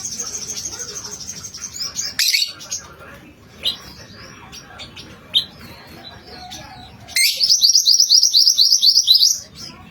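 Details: Lure song of an actively singing mantenan kuning: scattered high chirps and a sharp burst, then a long, bright, fast trill of repeated high notes near the end.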